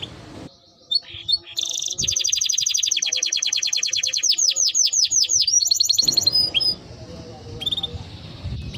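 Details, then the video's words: Timbrado canary singing a long rapid trill that shifts into repeated descending whistles, followed by a few chirps and a brief trill, with faint background noise. "Canary Bird Singing Timbrado canary singing beautiful melody"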